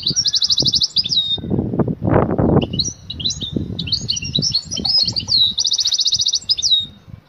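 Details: A female European goldfinch ready to mate calls her male with a fast, even high trill, then lively twittering chirps, then another identical trill, while low rustling noise runs beneath.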